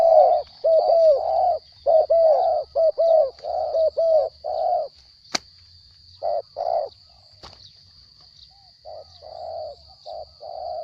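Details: Spotted dove kept captive, described as small-voiced, cooing in rapid runs of short downward-bending notes, two sharp clicks interrupting, then quieter, softer coo groups, with a continuous high whine in the background.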